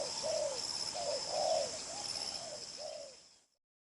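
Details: Spotted dove, đồng pha chân cua strain, strong and restless cooer with trailing-note coos: several low falling coos in short-long pairs over high hiss, the whole sound fading out near the end.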